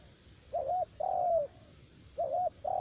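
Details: Spotted dove kept as a trapping decoy in U Minh, Cà Mau, Vietnam, with a three-note voice: two soft coo pairs, each a brief wavering note followed by a drawn-out, slightly falling coo.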